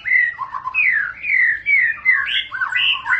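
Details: White-rumped shama (murai batu) giving a long continuous song, described as ngerol panjang: clear whistled phrases sliding between low and high notes, smooth and melodious with brief gaps, no other sounds.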